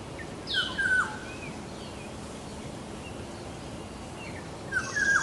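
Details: Black-naped Oriole chicks being fed by a parent give two short bursts of harsh, scratchy begging calls about four seconds apart, over a steady background hiss.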